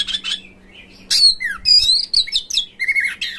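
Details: Short stretch of Oriental magpie-robin song used to spur magpie-robins to open their tails, sing and fight: high chirps, a descending slurred whistle, then varied warbled notes and a pair of flat whistles, with a faint steady hum behind.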